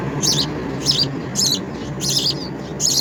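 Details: Five quick, high, scratchy chirps in about three seconds from house sparrow babies begging as they are fed insects in the nest.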